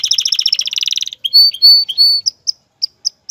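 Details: Singing male canary stimulating a female to breed and build her nest; a quick chattering trill gives way to three drawn-out pure whistles, then single bright chips spaced about every third of a second.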